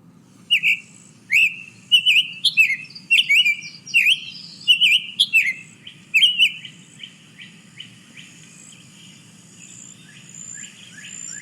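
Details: Summer Tanager, a summer resident of Texas, singing one of several regional song variants learned when young: very chirpy, slurred whistled notes in quick rising-falling pairs, grouped in phrases, then a fading series of softer notes.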